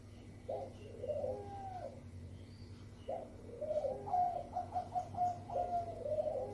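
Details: Zebra dove, Bangkok type, singing a lure song to draw other doves into song. Mellow wavering coos, then a quicker string of short notes, over a steady low hum.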